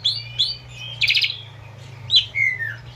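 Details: Singing Asian pied starling, from a recording meant to train captive birds. Two squeaky whistles, a short buzzy rattle, then a falling slurred whistle, over a steady low hum.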